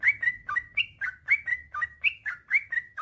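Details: Male yellow-vented bulbul singing a long continuous song, recorded to coax other bulbuls into singing: bright, liquid slurred notes in a quick, fairly even series, paired ups and downs, with a clean background.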